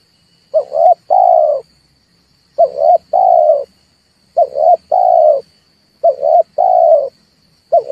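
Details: Repeated red turtle dove calls for luring birds into traps: four rhythmic phrases, each two quick throaty coos and a drawn-out third, spaced about every 1.8 seconds, with a thin steady background whine.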